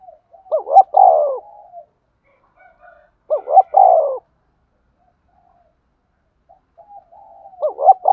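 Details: Lure spotted dove for trapping, giving its calling coo: loud phrases of hooked, wavering notes ending in a drawn-out coo, repeated about every three and a half seconds with quiet murmurs between.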